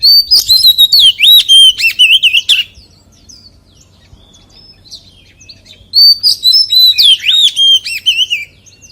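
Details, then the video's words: Two loud bursts of wild forest-style singing from an Oriental magpie-robin, each a rapid string of whistled slurs, loops and trills, separated by a few seconds of near quiet with faint chirps. "CHÒE THAN HÓT GIỌNG RỪNG SIÊU HAY - Suara Burung Kacer Gacor"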